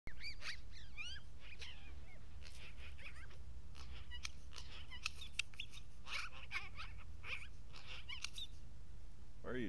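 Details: A talkative magpie at a day center in Aspen, indoors, giving a dense run of varied chattering notes, quick rising and falling squeaks and rasps packed closely together, over a steady low hum with a person's voice heard faintly.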